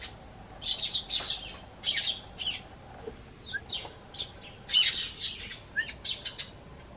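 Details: Eurasian tree sparrows hop onto a garden bench as the owner steps out of his house and seem to call to him, giving bright, high chirps in quick bursts of two to four notes about every second over a faint hum.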